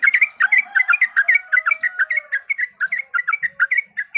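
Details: Yellow-vented bulbul lure song meant to make a bird sing and fight: rhythmic, liquid, slurred notes in a rapid, regular chain, with a faint lower whistle under the first half.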